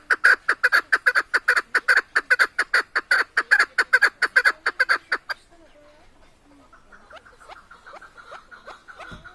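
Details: Song of a keklik, the chukar partridge, recorded in Tajikistan: a fast, loud train of harsh chuck-chuck notes for five seconds, then a break with faint distant calling.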